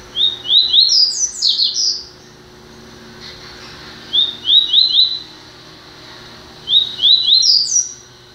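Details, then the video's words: Double-collared seedeater, newly acquired, sings three phrases of quick rising whistles, the first longest with a bright high ending, the others shorter, a few seconds apart, over faint hum. "Papa capim FBI"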